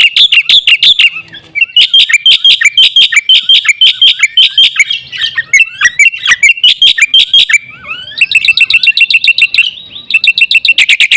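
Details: Black-winged myna (jalak putih) in full, lively song, used as a lure to provoke other mynas: rapid series of loud, harsh, buzzy notes with ringing overtones, repeated about twice a second, shifting into faster rattling phrases near the end.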